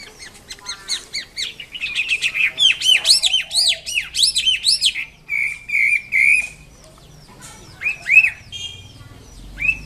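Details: Wambi kembang mandarin in full, lively song: rapid high twittering with arched, sweeping whistled notes in dense bursts, a short pause, then a level trilled phrase and further chirping runs.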